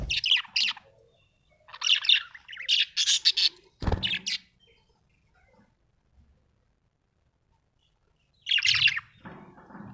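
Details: A happy budgie chirps in scattered bursts of high, scratchy warbling notes separated by long silent gaps, with a sharp click midway and a softer low murmur at the end.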